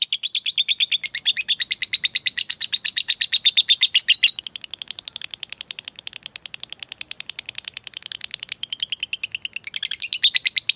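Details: Lovebird calling out to a rival to stir it up: a long, unbroken string of rapid, shrill, high chirps. It holds loud and steady, briefly slackens mid-way, then swells again at the end.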